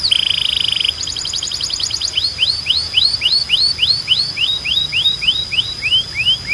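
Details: Canary of the Belgian breed in a training recording: a buzzy trill and a rapid ticking run lead into a long, even series of curved downward sweeps over a faint steady high tone.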